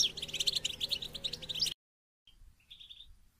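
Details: European goldfinch twittering for stimulating captive goldfinches to sing: a busy, fast jingling stream of high notes for under two seconds, then an abrupt silence and a few faint distant chirps.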